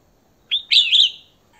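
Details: Female red-whiskered bulbul calling to draw in a male, giving a short clear note followed by a longer rich warbled whistle that trails off, with a quiet background.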